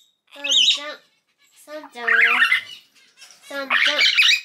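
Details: Baby common hill myna, three months old and not yet talking, sex undetermined, uttering three loud rasping, nasal squawks with a buzzy ringing tone, roughly one every one and a half seconds, in a quiet indoor setting.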